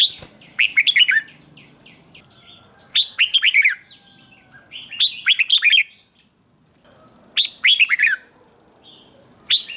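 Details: Red-whiskered bulbul morning training song in the chè style, meant to provoke wild-caught birds. Rich warbled phrases of rising and falling bright notes come in bursts every two to three seconds, with brief quiet gaps.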